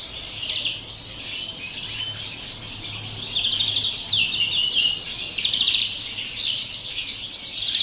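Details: European greenfinch singing campero style on 30 December: varied high twittering of chirps, trills and sharp slurred notes, growing louder in the second half, with a faint low hum.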